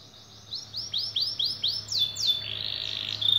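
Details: Canary song used to stimulate other canaries to sing: evenly spaced rising whistles, then descending sweeps and a buzzy rolling passage, with a faint low hum behind.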